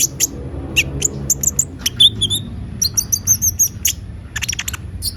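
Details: Kolibri ninja (konin) singing vigorously: sharp, very high chirps and thin ticks in uneven bursts, with a short rising-falling whistle near the middle and a low hum underneath.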